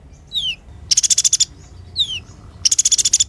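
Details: Van Hasselt's sunbird, known locally as kolibri ninja, in clear, natural song: a thin descending whistle, then a dense, very high buzzy trill, repeated twice.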